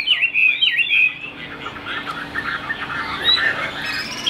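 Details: A Chinese hwamei, outdoors as rain threatens, sings loud, rich whistled phrases, then a fast run of varied chattering notes, about four per second, with a faint steady hum behind.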